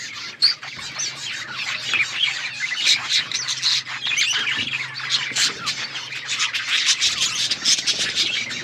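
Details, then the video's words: Several budgerigars chirping together: dense, overlapping twittering and scratchy chirps with occasional sharper squawks, constant and unbroken, over a faint low hum. "budgies chirping sounds"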